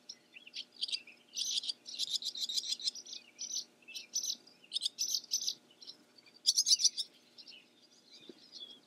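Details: Barn swallow song: quick runs of high, dry twittering chirps in short bursts with brief pauses, a louder buzzy burst near the end, faint low hum beneath.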